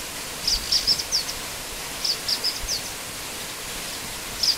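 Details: Black-winged flycatcher-shrike (Hemipus hirundinaceus) in a master recording, giving quick bursts of four thin, very high notes, repeated every second or two over a steady rushing hiss.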